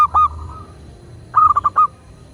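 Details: A local zebra dove from Indonesia, recorded as a master track to prompt other doves to sing, gives one short mellow note, then after a pause a quick run of four clipped cooing notes.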